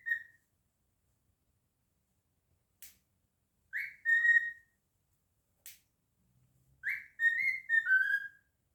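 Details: A male cockatiel kept as a pet whistles and sings: a brief note at the outset, then two separate phrases a few seconds apart, each a sharp upswept whistle followed by falling, tonal notes; otherwise quiet room.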